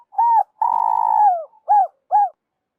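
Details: Spotted dove call used by trappers as a lure: a short mellow coo, then a long sustained purring croo that falls at the end, followed by two brief arched coos about half a second apart; clean, no background sounds.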